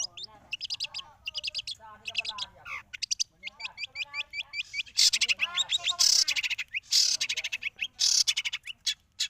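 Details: Long-tailed shrike singing a modern "isian" fill-in song: rapid bursts of high, sharp, repeated notes alternate with lower warbled and slurred phrases, changing quickly from one motif to the next. The later phrases grow louder and harsher.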